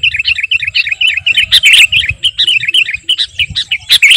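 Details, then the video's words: Sooty-headed bulbul, 'kutilang garuda', singing energetically as a master song for training or luring birds; rapid chirpy notes around the same pitch, repeated almost continuously, with brighter louder bursts and a low background rumble. "Burung KUTILANG GARUDA Gacor..!! cocok buat pikat masteran"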